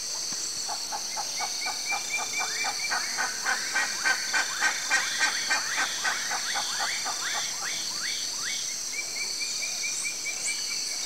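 Fork-tailed Flycatcher giving a rapid series of dry, sputtering chips and buzzy notes, about three per second, over a steady high insect hiss.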